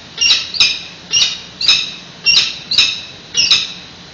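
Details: San Francisco peregrine falcon nest, 28 May 2017, during a nest exchange: grating, high calls delivered singly and in pairs roughly every half second, with faint background hum from the webcam feed.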